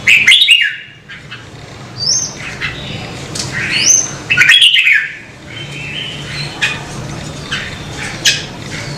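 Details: Red-whiskered bulbul being stimulated to sing, with loud warbled phrases at the start and middle, thin rising whistles between them and quieter scratchy notes toward the end, over a low background hum.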